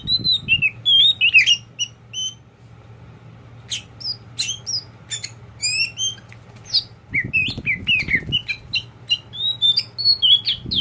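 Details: Tame pet oriental magpie-robin of the kacer poci kind pouring out chirps, sharp clicks and wavering whistles in bursts, a quieter gap midway, plus low thumping rumbles from movement.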